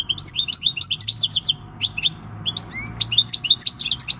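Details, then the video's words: Wild-caught European goldfinch, six years old, singing its field-style song on 26 December 2019: fast tinkling twitters and chirps in bursts, a brief pause with a single slurred note, then more rapid twittering. "Jilguero campero "EL CARBONERO" / Chant du chardonneret / Goldfinch song"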